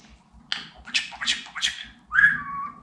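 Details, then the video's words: Talking pet budgerigar: four quick raspy speech-like syllables in a row, then a clear whistled note that falls slightly. Heard in a quiet room. "Konuşan Muhabbet Kuşu"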